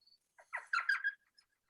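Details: An Elf Owl, heard at dusk on a cold spring night in Madera Canyon, Arizona, gives a quick burst of high, yelping, puppy-like chatter: several squeaky notes run together in under a second, with no other sounds.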